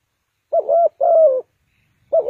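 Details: Trapping decoy spotted dove, Ninh Thuận: one soft coo-croo pair, a short coo then a longer, gently falling croo, with the start of another phrase at the end.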